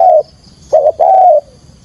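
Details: Spotted dove calling to lure birds for trapping: the tail of one coo, then a short coo and a longer sustained mellow note that fades away.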